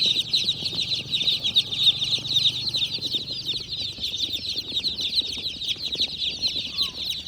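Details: Tiny black and white chicks making funny noises. Many high, thin peeps blend into a dense, continuous chorus, with faint low murmuring underneath.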